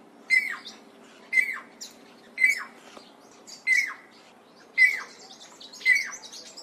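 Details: Klaas's cuckoo, a southern African cuckoo, giving six short, slurred whistled notes, each falling away, about one a second against a faint steady hum.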